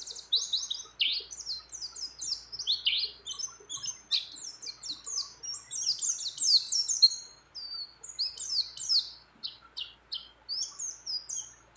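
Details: Breeding female mountain white-eye calling a male, singing with many other birds' phrases mixed in: rapid, very high chirps and sharp slurred notes tumbling in quick runs, with a brief pause near the end before the twittering resumes.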